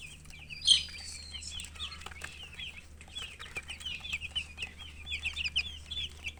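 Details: Baby chickens in a chorus of shrill, rapid peeps, a steady stream of short bent chirps with one sharp louder note early on, over a low background hum.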